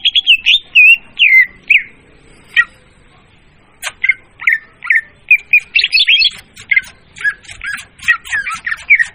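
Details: Loud leafbird trapping lure: a rush of warbled, squeaky phrases, a short pause, then sharp chips building into dense, varied twittering and buzzy notes.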